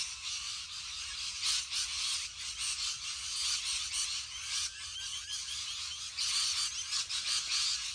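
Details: A huge rainbow lorikeet flock fills the air with harsh, piercing screeches, continuous overlapping chatter rising in brief louder surges, some thin whistled notes standing out.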